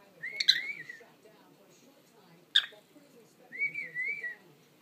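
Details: Pet parrot singing indoors: two wavering whistled phrases around the upper-middle range, each about a second long, separated by a sharp click, with faint room noise underneath.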